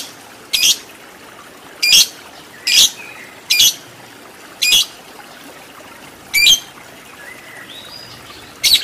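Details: Lovebird on a training recording meant to build a fighter with long 'ngekek panjang' chatter. Short, bright, scratchy squawks come singly at uneven intervals of one to two seconds, with quiet hiss between them.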